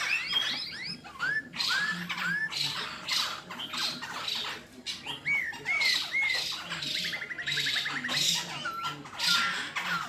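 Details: Black-throated laughingthrush fighting song: rapid hooked whistles and harsh chattering bursts over ten seconds, including a fast rattling trill and short clear level whistles near the end.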